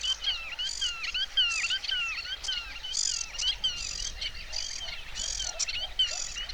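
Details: Black-tailed godwit flying over the Biały Grąd trail in Biebrza National Park, Poland, on a windy day under dark rain clouds, gives a quick run of nasal, rising-and-falling calls, about two per second, over a soft hiss of wind.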